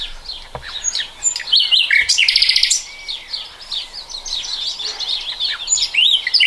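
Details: Common nightingale, 2020, with a loud buzzy rattling trill early on followed by varied whistled and chirped phrases at a quick pace.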